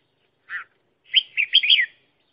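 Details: Decoy red-whiskered bulbul for trapping wild birds: a short buzzy note, then a lively run of four warbled, rolling whistles, clear and close, with no other sounds.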